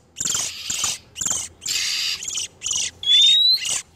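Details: Oriental magpie-robin, male and female in breeding condition, calling as a lure for catching wild birds: a run of harsh, rasping bursts of about half a second each, with a clear whistled note rising near the end.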